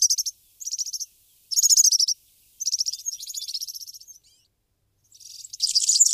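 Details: Brambling, a migratory finch, giving bursts of high, rapid buzzy chattering notes in short phrases separated by brief pauses, ending in a denser, louder twittering burst.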